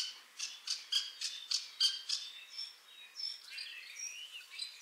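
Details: Common starling ringed in Lithuania, back in Liepāja, Latvia, for a third spring after arriving 25 March 2023, with an injured leg: a quick run of dry clicking rattles, then thin rising and falling whistles.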